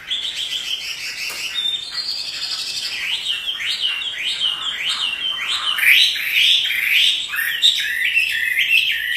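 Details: Chinese hwamei, a pet bird singing vigorously ("gacor") as it dances, delivering a fast series of loud upward-sweeping whistles, roughly two per second, growing louder toward the end of a long, varied phrase.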